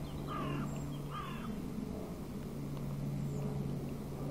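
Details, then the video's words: Feisty crows giving two harsh, hoarse caws in quick succession near the start, then quieter, over steady low rumbling traffic and vehicle noise. "feisty crows"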